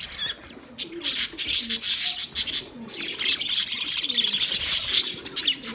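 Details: Many budgies chirp together in loud, bright, buzzy chatter, swelling and fading, while soft low warbling notes drift beneath the high noise.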